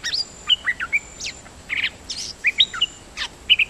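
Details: Nok dok taeng song made of clear whistled notes and scratchy buzzes in quick succession, with brief pauses between bursts, over light background noise.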